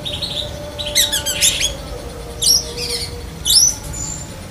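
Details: Black-breasted Oriental magpie-robin in song mimicking other birds, among them lovebird; a dense burst of high chattering notes is followed by two sharp, rising squeaky calls, with a faint background whine.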